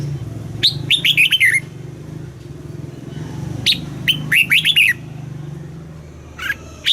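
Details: Red-whiskered bulbul song played to excite caged birds and teach young birds: bursts of short bright warbled notes, rising and falling quickly, in two phrases with a pause between, a low engine-like hum underneath.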